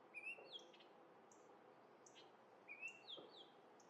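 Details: Orioles in Minnesota singing while eating grape jelly: clear whistled slurred notes, rising and falling, in two short phrases about two and a half seconds apart, with soft higher chips between, in a quiet setting.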